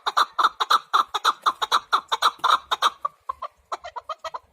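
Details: Chukar partridge calling with a fast run of clucking chuck notes, about two per second, rhythmic and strong for three seconds, then softer, quicker broken chuckles trailing off.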